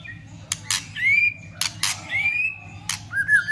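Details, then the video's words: White-rumped shama stirring up other birds with continuous clicking and tail-flicking: loud dry clicks alternate with long upslurred whistles and a final falling whistle, over a low background hum. "Chòe lửa kích lửa cực sung ,tạch liên tục đập đuôi kích chòe lửa lên lửa hót đấu.chòe lửa hót"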